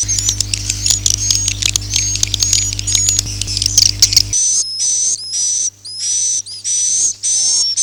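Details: Swiftlet sound in the 'Akau ngaji' style: first a dense, fast chatter of many short high clicks and twitters over a low hum, then a switch to evenly spaced, longer buzzy high chirps with a faint whistle inside.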